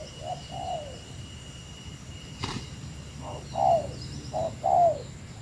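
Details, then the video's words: Spotted dove of the Meratus type, a lure bird calling against a rival: two soft, hollow, falling coos, a pause with a sharp click, then a quick run of three louder coos, over a faint steady electronic whine. "Suara Burung Tekukur Meratus Lawan 3 detik Lawan Turun Dari Paparan"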